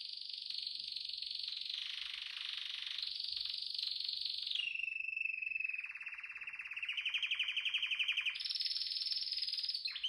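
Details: Canary singing a continuous song: long buzzy trills around high pitch, dropping midway into a lower rapid rolling trill, then rising again to a sustained high trill with fine overtones.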